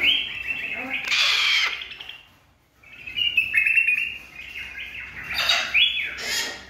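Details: Captive silver-crested cockatoo giving harsh, raspy screeches in two bursts, the first drawn out and the second broken into several grating squawks with a short pause between, indoors with faint human voices.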